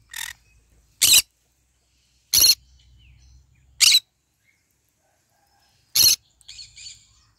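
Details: Green-cheeked conure eating and basking in the morning sun, giving five loud, harsh, screechy calls spaced about one to two seconds apart, followed by a softer chattering note at the end.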